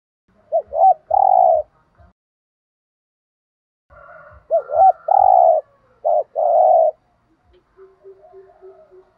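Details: Cu gáy thúc gù cooing meant to stir wild doves to call: two series of soft, low coos, each a quick double note followed by a longer drawn-out hoot, separated by a pause, with a faint tone trailing at the end.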